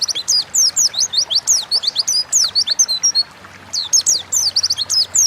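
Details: Oriental white-eye (pleci) singing as a pancingan lure in 'gacor ngalas' style: long runs of fast, thin, downslurred high notes, briefly broken by a half-second lull, then resuming in a dense chattering stream.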